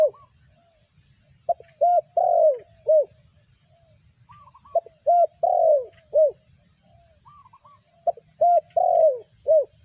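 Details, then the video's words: Spotted dove, its call used as a trapping lure, repeating a cooing phrase three times: a quick note, a clipped note, a long falling coo and a final short coo, with faint higher whistled notes before each phrase. "The Sound Of Spotted Dove Bird"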